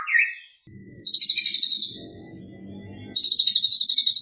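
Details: A white-rumped shama in mimicry-filled 'isian' song gives a short rising whistle, then two fast buzzy trills of rapid even pulses, roughly four per second, separated by a pause with low hum.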